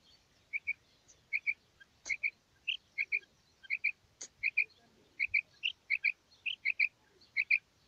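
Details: Female common quail calling, giving bright paired notes repeated in twos, about forty pairs a minute, with an occasional sharp click between them and a quiet background.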